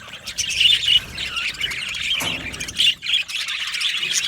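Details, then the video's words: Budgerigars chirping in an aviary, bright squeaky calls and warbling phrases in uneven bursts, with a short rising whistle and a soft thud midway. "Beautiful Budgie singing and chirping sounds"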